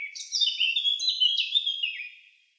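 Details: Eurasian blackcap (Sylvia atricapilla) song: one rich, fluty warbled phrase lasting two seconds that ends in a lower, falling flourish, in a clean, quiet setting.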